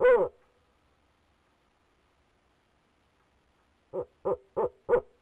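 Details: Male barred owl in a Leesville nest box, 2018, recorded by the box camera: one long, slurred hoot, several seconds of near silence, then four short low hoots spaced about a third of a second apart.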